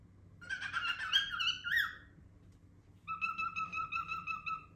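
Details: Indoor pet cockatiel producing a wavering, warbled whistle sequence with a rising slur, then after a short gap a steady string of rapid pulsed whistles at one pitch.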